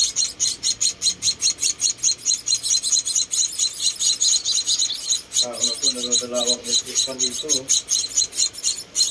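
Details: Hand-fed rescued munia babies, four chicks, producing rapid high, piercing cheeps in a steady rhythm, while a person's voice speaks briefly partway through.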